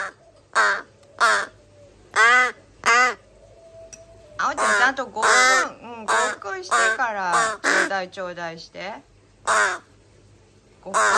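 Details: Three rescued young crows, nestlings found abandoned in a garbage bag, on days 26–27 of care, July 2022, beg with loud, harsh, nasal caws, some drawn out and wavering, in quick overlapping bursts, with a person's voice faintly between.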